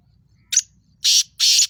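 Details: Sindhi black francolin, known locally as kala tetar, giving its call: a short harsh note followed by two long, loud, rasping buzzes in steady rhythm over a soft low rumble.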